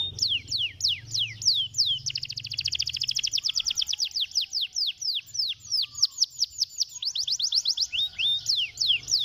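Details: Canary in stimulating song: steady chains of sharp descending whistles broken by a long fast buzzing trill, with faint low hum beneath.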